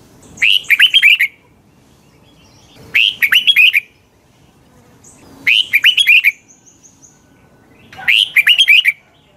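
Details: A Red-whiskered bulbul gives its morning training song: four evenly spaced bursts of quick, bright whistled notes, roughly every two and a half seconds, with quiet between phrases.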